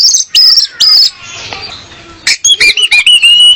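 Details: Female orange-headed thrush song meant to lure males; loud high whistles, then a brief quieter gap, then quick sharp notes ending in a long, steady whistle.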